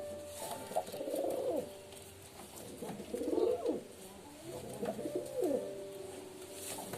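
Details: Pigeon coos, three rounded throaty phrases that swell and dip, spaced about two seconds apart, over a steady low hum.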